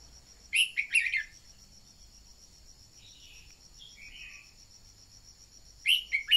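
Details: Decoy red-whiskered bulbul singing to rouse newly caught birds: a loud bubbly warbled phrase, fainter slurred notes in the pause, then another bright phrase, all against a constant shrill cricket-like drone.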